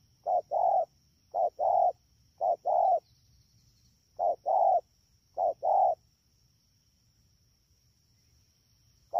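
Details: Wild-caught spotted dove at Dak To, 3 October 2019, cooing in five brisk two-note phrases, a short coo then a longer one, followed by a few seconds of near silence and another coo at the end.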